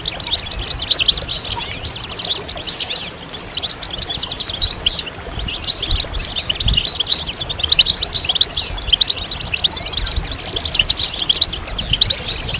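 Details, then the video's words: Group of European goldfinches giving stimulating mating calls that set males singing; a continuous, dense stream of high twittering, sharp chirps and brief buzzes, with a short lull near three seconds. "بتبتة الحسون أفضل البتبتات الجماعية stimulation de chant chardonneret"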